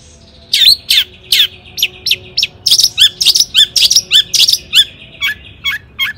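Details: Lure song of a long-tailed shrike meant to make other shrikes sing: varied, squeaky chirps and sharp slurred notes, each about half a second apart, delivered energetically over a quiet background.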